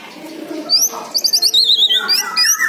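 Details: Orange-headed thrush song played as a lure to make silent birds answer: a quiet start, then bright high whistled phrases and quick repeated rising-falling notes, with fast chattering trills near the end.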